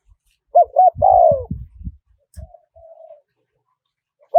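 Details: Spotted dove, wild-style small-voiced call meant for playback to draw in wild doves: one phrase of two quick hollow coos and a drawn-out falling croo, followed by low thumping knocks and a soft fainter coo.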